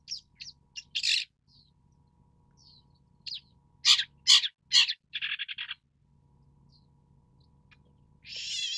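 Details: Long-tailed Shrike calling: scattered thin notes, then three loud rasping bursts and a quick buzzy rattle, followed by quiet and a final harsh noisy burst.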